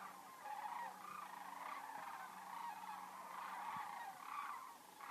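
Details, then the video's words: Huge flock of sandhill cranes on seasonal migration over Denali National Park and Preserve, Alaska, giving steady overlapping rolling, trilled calls that blend into a constant murmur, with a faint low hum underneath. "HUGE flock of sandhill cranes in seasonal migration"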